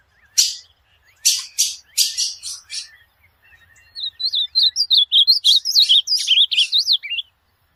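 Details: Azulão (ultramarine grosbeak) song for training a caged pet bird: loud scratchy broadband calls first, then after a gap a brisk phrase of bright, twisting whistled notes rising and dipping.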